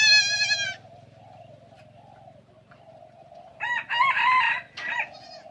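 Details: Junglefowl in Aceh giving a broken crow: a short clipped opening note, then a longer raspy central phrase and a brief trailing note, after a wavering harmonic call at the start, all over a constant buzzing background drone.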